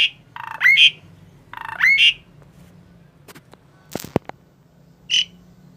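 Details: A tame Asian pied starling calling: twice a rising whistled note that ends in a brief buzzy burst, followed by a few clicks and a single short harsh note.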